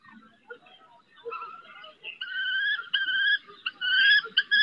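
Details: Female common kestrel calling her fledgling from a rooftop during its first flight attempts, Riet Vell Nature Reserve, Ebro Delta, Spain: thin, whining, drawn-out notes that grow louder and more insistent, with faint soft clicks below.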